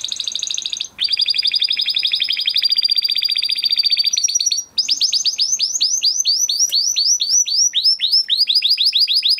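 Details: Huppe Spanish Timbrado canary from a 2020 breeding, still kept in a flock, singing a training song: a dense metallic rattle, a brief pause, then long series of fast, repeated, rising-and-falling notes.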